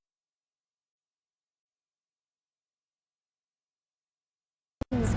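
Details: Near-total silence, broken only at the very end by a brief click and the start of a man's voice.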